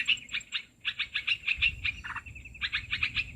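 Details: Lure recording of the olive-winged bulbul for catching birds: bouncy series of rough chirps repeated in fast groups, briefly broken by a lower chatter, against a faint continuous whine.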